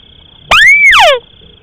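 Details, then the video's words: Crake lure call from rice fields: a single arched whistle rising and levelling off, then a burst of steeply falling, harmonic-rich sweeps, about 0.7 seconds in all, over a steady high electronic tone. "suara pikat tikusan sawah durasi pendek"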